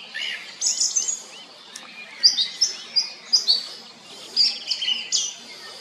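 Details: Song thrush song with looping whistled notes followed by a bright, high phrase repeated three times at about half-second intervals, then a fuller, busier phrase.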